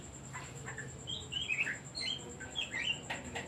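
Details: Oriental magpie-robin song played as a lure for silent or stressed songbirds: a run of bright, quick descending whistles and chirpy slurs mid-clip, then more short whistled notes, against a faint continuous high whine.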